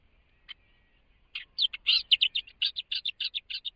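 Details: Millerbirds singing while foraging on Laysan Island: a rapid run of short, bright chattering notes about three or four per second, starting with a few scattered chips and then becoming a steady, dense series.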